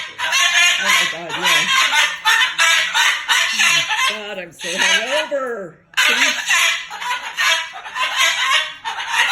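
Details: Moluccan cockatoo talking and cursing in anger. Continuous harsh, raspy chatter with a lower, wavering voice woven through the middle, then a brief break before the rough bursts resume.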